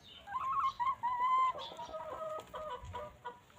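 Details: Free-range hens on a peaceful farm, pecking and grazing; a clear drawn-out harmonic call wavering then steadying, followed by a series of short evenly spaced clucks, no music.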